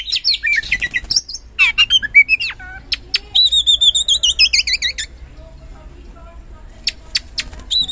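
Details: Oriental magpie-robin song played as a lure to provoke lazy birds into singing: varied high whistles, rapid chattering notes and a long wavering whistled phrase, then quieter scattered notes near the end.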